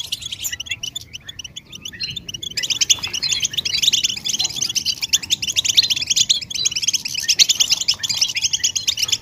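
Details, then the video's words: European goldfinch calls meant to make a silent male sing: sparse scratchy chirps at first, then after a short break a loud, dense burst of high, rapid twittering that continues steadily. "بتبتة الحسون نداءات فعالة في علاج صمت الحسون"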